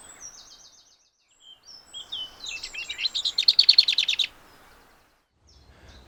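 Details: Lesser whitethroat song, a bird of mature woodland, scrub and big hedgerows in Lincolnshire: a quiet, scratchy high warble like a whitethroat's, then a loud, dry, rattling run of rapid repeated notes about a second long.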